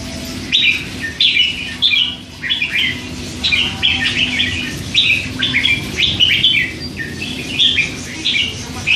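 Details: Three-month-old hand-reared red-whiskered bulbul in a cage, chattering nonstop: a dense run of quick high chirped and warbled notes, repeated several times a second over nine seconds, with a low steady background hum.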